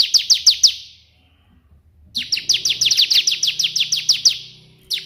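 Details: Ciblek, or Bar-winged prinia, singing hard in 'tembakan' burst style as tutor material: five quick, shrill down-slurs, a pause of over a second, then a long rattling stream of falling notes.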